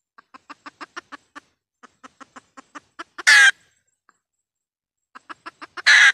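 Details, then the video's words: Red junglefowl decoy hen from Vietnam, recorded to lure birds into traps. Rapid clucking series, each capped by a sharp loud squawk, heard twice in quick succession. "tiếng gà mái mồi kêu"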